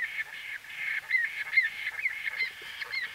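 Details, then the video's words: Close-up calling of a white-fronted bee-eater, a quick run of short rising-then-falling notes about two per second, slightly uneven in timing, over a faint background hiss. "White-Fronted Bee-Eater. NB: Exact Date Of Recording Not Known. CU Calls From A"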